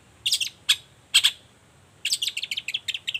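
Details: Long-tailed shrike morning song played to make other shrikes reply: a few separate harsh, explosive chips, then a rapid run of about ten quick scratchy notes.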